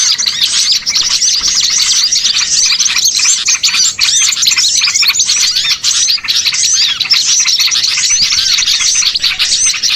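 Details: Bird-catching lure of small birds: a thick, nonstop mass of high, sharp chirps and tweets from many callers, steady and loud throughout.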